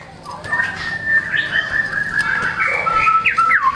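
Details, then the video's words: White-rumped shama with a drawn-out level whistle that turns into sweeping, looping whistled notes toward the end. "MURAI GACOR BONGKAR MATERI, PANCINGAN MURAI MALAS BUNYI AGAR GACOR"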